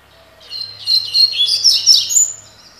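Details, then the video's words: Double-collared seedeater, a spirited ("de fibra") bird, delivering its tui tui style song: a dense, fast, high-pitched warble of chirps and twittering notes lasting about two seconds, loud and clear against a quiet background. "COLEIRO TUI TUI (TOCÓ)"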